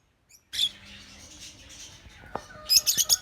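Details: Lutino African lovebirds: harsh, high, shrill chirps and screechy bursts, dense at the start and again in rapid repeated notes near the end.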